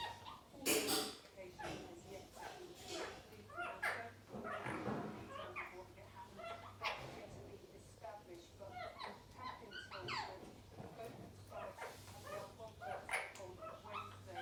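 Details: Several Indian ringneck parrots at play give dense, busy chatter of short squawks and bent, gliding notes, with a loud harsh burst near the start and a constant low hum throughout.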